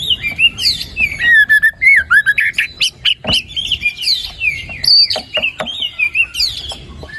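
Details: Energetic white-rumped shama song meant to prompt a lazy, silent bird to start singing: bright whistled phrases mixed with high squeaky trills, buzzy notes and quick clicks, delivered in dense, varied bursts with only brief gaps.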